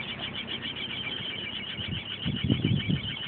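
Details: A chimney swift and her nestlings nesting inside a chimney with no rain cap give a continuous, rasping, high chatter rising in waves, with low rumbling thumps and echoey resonance; it can go on all night.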